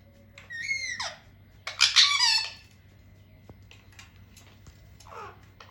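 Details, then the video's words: Pet parrots kept indoors in a small room: two loud harsh squawking calls with stacked, downward-bending tones in the first two seconds, then quieter scattered squeaks and a final short falling squawk, over a steady low hum. "Funny and cute talking parrots natural sounds"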